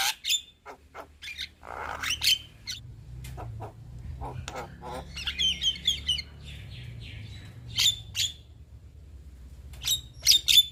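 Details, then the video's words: Young Javan myna giving scattered harsh chirps and sharp metallic notes, with a stretch of soft, scratchy twittering in the middle and a low hum underneath. "Kicauan Jalak Kebo Muda Gacor Mantap"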